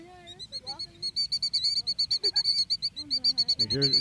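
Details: A Killdeer protecting its eggs on the ground as people approach gives rapid, high, piercing notes, about three per second, in an agitated run; people talk nearby.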